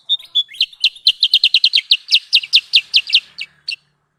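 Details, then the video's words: Sooty-headed bulbul lure call used for bird trapping: a fast run of sharp, high, downslurred chips that start as a short whistle and then repeat several times a second before trailing off. Background is quiet. "Suara pikat Burung Kutilang sutra"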